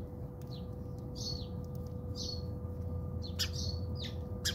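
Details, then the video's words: House sparrows fighting in a South African backyard: a series of separate slurred chirps, roughly one every half second, over a steady hum and low rumbling background noise. "Watch Interesting Sparrow fights in my Backyard"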